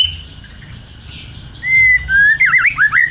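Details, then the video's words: White-rumped shama in full song, used as a lure to get other birds singing: after a quiet start, loud clear whistled phrases, a long level note, then quick looping, swooping notes, over a low steady hum. "PANCINGAN BURUNG MURAI BATU GACOR 100% IKUT BUNYI"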